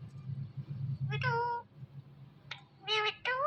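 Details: Pet Indian ringneck parrot talking indoors: drawn-out, voice-like syllables with a low falling tone, a short gap, then two more harmonic bursts over a low background hum.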